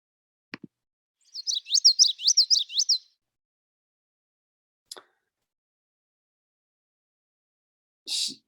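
Common Yellowthroat song: a rapid run of about five bright, rolling three-note phrases, witchety-witchety-witchety, lasting under two seconds, with a few faint clicks around it.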